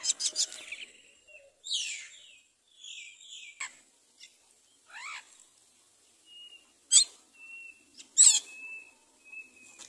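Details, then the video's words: Common myna mother bringing rice to her chick: scattered squawks and downward-sweeping whistled notes, a few thin level whistles, with quiet gaps between calls. "Mother myna brings rice to feed her baby"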